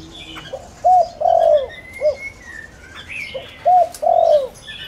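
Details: Spotted dove lure bird calling to excite wild doves: one complete low phrase of short note, arched coo, long falling purr and short note, followed by the start of another, with thin whistles from other birds.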